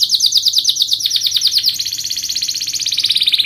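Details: Canary singing hard as a lure for others: a quick pulsing trill of short notes that shifts after about a second and a half into a smoother, slightly higher rolling trill.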